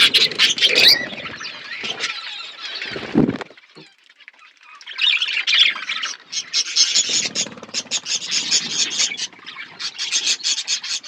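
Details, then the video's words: Flock of budgerigars eating food, giving dense high chirping and warbling chatter that pauses briefly near the middle, then resumes as busy overlapping twitters with a few low rustling sounds. "Birds chirping beautiful budgies flocks birds eating food"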